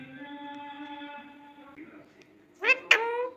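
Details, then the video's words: Pet talking ring-necked parrot, said to speak Urdu and Hindi, in a quiet indoor setting: a long steady harmonic tone, then a pause, then two short, sharply rising cries close together, like a mimicked word. "beautiful parrot voice🦜🦜💚/speak in urdu hindi"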